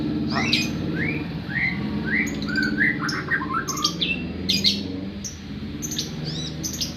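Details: White-rumped shama singing a run of short rising whistled notes, each sweeping upward, about two per second, then mixed chirps and sharp clicks, over a steady low hum.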